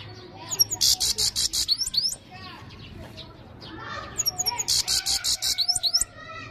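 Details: European goldfinch singing loudly: two bright phrases of rapid, high tinkling twitters with harsh buzzy notes, each lasting about two seconds and separated by a brief quieter gap with soft background twittering.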